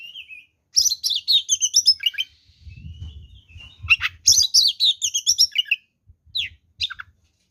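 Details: Oriental magpie-robin delivering provocative fighting song: dense bursts of high whistles and scratchy chatter, pausing between phrases, with low rumbling handling noise underneath.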